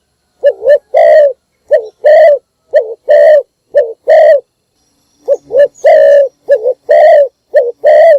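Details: Morning lure calls from a decoy spotted dove: around six loud coo phrases, each a short undulating note followed by a longer coo, in two runs separated by a brief gap.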